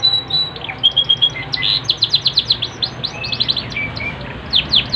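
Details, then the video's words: Yorkshire canary singing hard. Steady whistles lead into a series of quick descending sweeps, low buzzy whistles, and more rapid falling notes, all high and bright. "KENARI YORKSHIRE POSTUR MAKNYOS GACOR"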